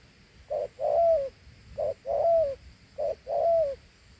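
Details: Clear two-note cooing from a Thổ Hú spotted dove, each short low note answered by a longer falling coo, three full pairs with a regular rhythm.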